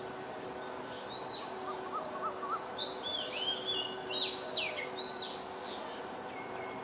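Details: Oriental magpie-robin belting out its own unique tune in Singapore: a few soft low notes, then a lively burst of varied whistles and quick slurred sweeps, over a steady high insect drone.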